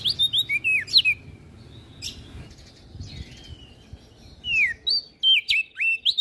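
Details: Olive-backed tailorbird song: clusters of quick bright whistles, then a quieter stretch with a drawn-out slurred note, then more sharp sweeping whistles.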